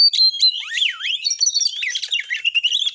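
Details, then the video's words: Oriental magpie-robin 'tembakan' song played to stir rival birds to fight: bright whistles sweeping down and back up, followed by quick varied chattering and trilled notes without pause. "TEMBAKAN BURUNG KACER GACOR FULL MATERI .AMPUH BUAT NAIKAN EMOSI KACER, langsung gacor tarung"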